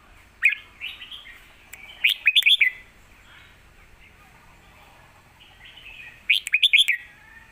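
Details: Caged red-whiskered bulbul from Thailand singing an aggressive Lak Wai master song meant to train young birds; two similar phrases of rapid, ringing whistled notes about four seconds apart, with quiet hiss between.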